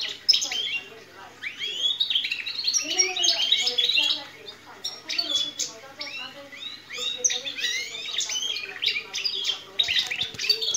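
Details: A captive-bred canary sings a rapid, goldfinch-style song of bright twittering phrases and liquid trills, with a few lower notes mixed in.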